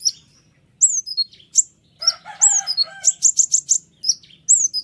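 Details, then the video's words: White-winged triller in dense, sharp song for tutoring other birds. High descending whistles lead into a quick run of rapid, clipped high notes. A lower, buzzy chatter from another bird overlaps briefly. "konin sayap putih unik full nembak rapat tajam suara jelas"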